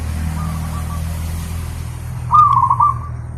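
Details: Zebra dove song as a master recording for training pet birds: a faint distant cooing phrase first, then one louder phrase of a rising note and quick rolling coos, with constant low background hum.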